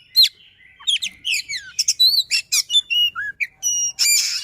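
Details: White-rumped shama pouring out fast, tightly packed song meant to prompt a quiet bird: crisp rising and falling whistled slurs, clipped chips and a few sustained pure notes, ending in a buzzy burst.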